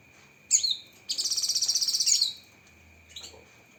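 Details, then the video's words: Cucak kinoi song made for training songbirds, full of 'tembakan': a sharp falling chip, then a rapid, high buzzy trill of about 1.2 seconds, followed by a faint short note, over a steady tone. "Masteran Burung Cucak Kinoi Full Isian Tembakan Pedas"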